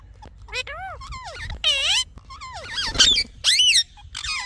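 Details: A talking parrot chirps: falling whistles, a long buzzy harmonic note, then wavering rising-and-falling chirps and a rasp, with gaps between phrases.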